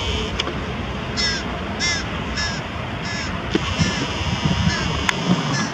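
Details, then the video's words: A carrion crow carrying prey while feeding its young near Diemerbos on 22 July 2020 gives harsh, nasal calls every half second to second in short bursts, over a low rumble and faint knocks. "Carrion Crow with prey feeding young"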